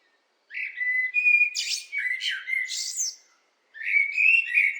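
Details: Blackbird song: a mellow, fluted warble of low whistled phrases near the bottom of the range, each ending in a higher squeaky twitter, with a pause before the next phrase begins.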